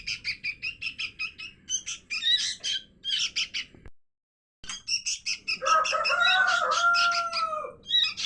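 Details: Sooty-headed bulbul chick begging calls used as a bird lure: rapid raspy chirping in quick bursts, cut by a short silent break, then resuming while a lower, smooth drawn-out whistled tone runs underneath for about two seconds.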